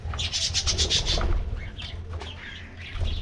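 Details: Morning treat time for aviary budgies: a quick run of repeated squeaky chirps in the first second, then scattered warbles and soft chatter over low rumbling noise.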